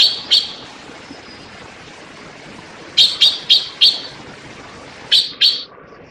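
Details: Grating calls of a Taiwan blue magpie: two notes, a quiet stretch of over two seconds, then a rapid run of four and a closing pair, with soft background hiss throughout.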